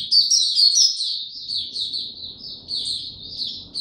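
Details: Caged white-eye gives a quick flow of high, sliding chirps and warbles, loudest at the start, over a faint background rumble.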